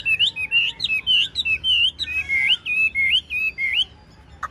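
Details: A large, golden-billed, tame Chinese hwamei in a cage delivers rapid, varied whistled phrases, bright looping notes repeated in quick succession for about four seconds before falling silent.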